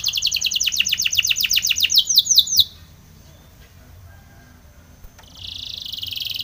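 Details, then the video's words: Spanish Timbrado canary singing for training, with a rapid run of falling whistled notes for over two seconds, a quiet gap, then a soft high trill starting up again. "Spanish Timbrado canary song for training"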